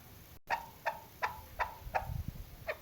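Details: Female chukar partridge giving a hunting call: six short, faint clucking notes spaced about a third of a second apart, each with a slight downward slur, over low background rumble and a brief dropout.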